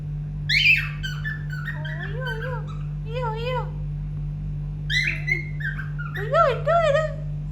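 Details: Pet cockatiel singing indoors, a series of whistled notes that rise and fall in wavy phrases, some short chirps between, with a woman talking softly and a steady low electrical hum throughout.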